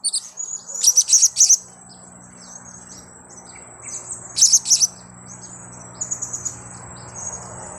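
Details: Blue-crowned hanging parrot calls played as a trapping lure. Tight bursts of sharp, very high chirps, each burst three to four notes, are separated by pauses, over a low hum and a steady high whine.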